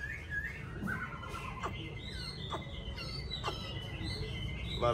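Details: A captive yellow-billed Chinese hwamei kept at home sings loud, varied whistled phrases with sharp slurred notes, over a steady high tone and low background hum.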